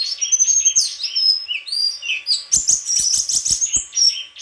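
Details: Dense, fast song of a White-throated flycatcher, swooping whistles giving way to a rapid run of sharp, stuttering high notes with light clicking.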